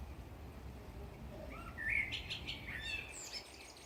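A blackbird sings one short phrase: mellow fluted notes that rise and end in a thin, squeaky twitter. Faint background hum underneath.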